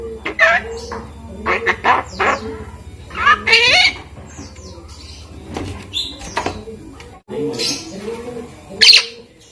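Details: Javan myna, five months old, kept since a chick and learning to speak, giving a string of harsh squeaks, rasping notes and sharp whistled chirps, some with a speech-like tone, spaced irregularly.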